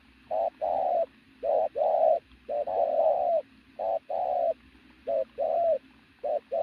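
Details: A pigeon coos loudly, giving a quick low note then a sustained, gently falling one, the pattern recurring about once a second over a faint background hum.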